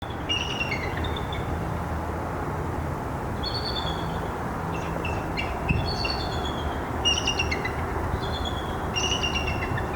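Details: A male bald eagle greets his mate with a series of calls as she lands beside him, and she answers: thin, high chittering bursts of quick falling notes every couple of seconds over a low wind-like rumble.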